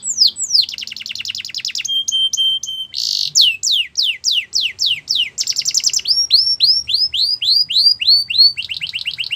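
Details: Belgian canary song for making other canaries sing, with fast trills, steady high whistled tones, series of descending sweeps and a run of rising-falling slurred notes, all loud and clear.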